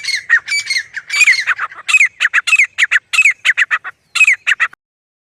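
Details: Grey francolin calling loudly with rapid, harsh, squawking notes, gradually quickening into short clipped bursts before stopping abruptly near the end.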